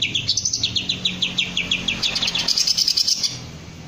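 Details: High, rapid chirps from a Green leafbird repeat steadily, about six per second, rising and falling in a bouncy run. The bird is being trained to lift its crest and sing ngentrok.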